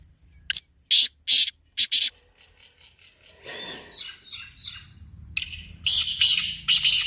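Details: Calling voice of a black francolin, for luring: a grating phrase of five short, very loud rasping notes early on. Soft warbling chatter follows, and another harsh series comes at the end over a steady high hum.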